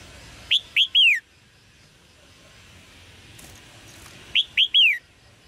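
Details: Red-whiskered bulbul giving chirping calls to encourage male song: two phrases of three clear whistled notes, the last one longer and sliding downward, separated by about four seconds of quiet.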